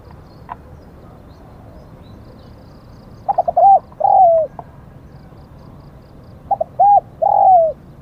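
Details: Spotted dove, a caged decoy used for luring wild doves in Thailand, giving two phrases of mellow cooing: short stuttered notes, then a drawn-out falling coo. Phrases come about three seconds apart, with faint high ticking in the background.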